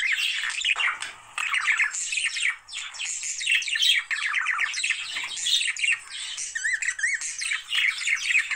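Budgerigars keep up a dense, continuous warble of rapid chirps, squawks and trills used to stimulate breeding.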